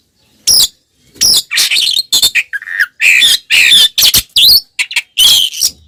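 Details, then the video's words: Oriental magpie-robin in fighting song, known locally as ngeplong, played to provoke other magpie-robins into aggression: loud harsh bursts and squawky phrases separated by short pauses, with brief whistled notes. "SUARA BURUNG kacer gacor NGEPLONG TARUNG BUKA EKOR"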